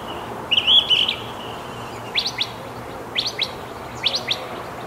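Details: Northern mockingbird living in a backyard Palo Verde tree, singing day and night and changing from one chirp to the next: a buzzy harsh phrase, then paired quick rising upslurred notes repeated three times.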